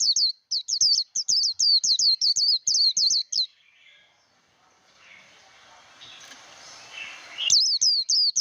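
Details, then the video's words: Japanese white-eye song training, a long series of rapid, high, wavering whistles for over three seconds, then a stretch of soft noise and murmuring before the fast whistled notes return. "Vành khuyên líu đấu. kích lửa vành khuyên líu đấu"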